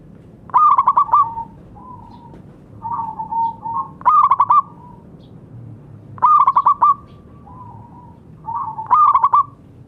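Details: Local zebra dove in loud song meant as therapy for silent birds: four trilled coo phrases of five quick pulses each, spaced about two seconds apart, with lower soft coos between.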